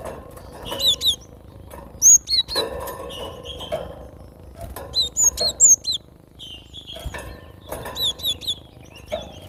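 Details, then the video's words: Cinereous tit, known locally as gelatik batu, repeats short bursts of piercing, high whistled notes, each phrase a fast cluster of descending pairs. Four or five phrases are separated by pauses, over faint background noise and occasional knocks. "Gelatik batu suara asli paling ampuh buat pikat dan masteran"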